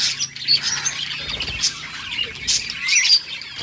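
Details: Happy budgie sounds: soft, scratchy twittering with a few sharp, higher squeaks rising out of it near the start and end.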